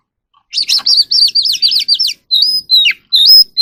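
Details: Oriental magpie-robin in evening song while dancing: a rapid series of about eight looping, bouncing whistled phrases, followed by a few longer clear whistles that rise and fall.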